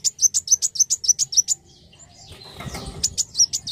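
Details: Black sunbird (kolibri wulung) song: a fast regular series of about ten piercing high chirps, then a brief rustling flutter and another run of sharp high notes.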